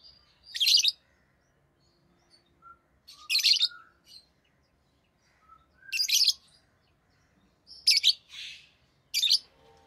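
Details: Rosy-faced lovebirds, kept as pets, orange-faced green and red-headed green colour forms, repeating harsh, high, rasping chirps about every two to three seconds, five bursts, faint short whistles between.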